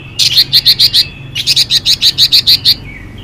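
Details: Female Chinese hwamei singing to rouse males: two quick series of sharp, scratchy high notes, about seven and then nine, delivered evenly at a rapid pace, with a faint low hum beneath.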